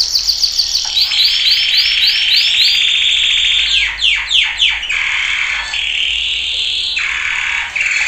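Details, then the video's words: Male canary training song for teaching caged birds: a rapid series of rising-falling whistled notes, then sharp descending sweeps and a long buzzy trill at the end. "Kanarya Eğitim Sesi Erkek / Kanarya Eğitim Ötüşü"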